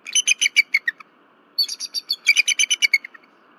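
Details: A disturbed female bald eagle calls loudly at night on her Berry College nest after seeing something flying around it, on 15 February 2023. She gives high, squeaky piping notes in quick series, with a short break between bursts.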